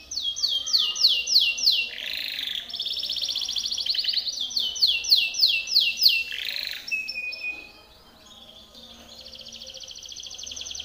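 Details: Timbrado canary song used for training other canaries: rapid trilled phrases of repeated falling notes, each tour changing after a second or two, with a buzzy burst and a thin steady whistle near the end.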